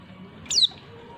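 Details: A female white-eye gives one thin, high whistled note that slides downward, over a faint low background hum; this female call is used to provoke males into calling.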